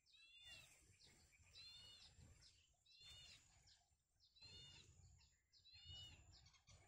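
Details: Nestling birds in a small nest as parents feed them: bursts of thin, high, ringing chirps roughly every one and a half seconds, partly masked by rough rustling and background noise.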